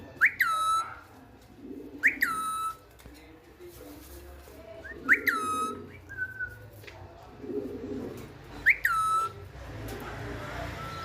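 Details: Pet parrot known for talking in Urdu and Hindi, repeating a bright whistle that leaps upward then drops to a level note, roughly every two to three seconds, five times, with soft low murmurs and room hum between.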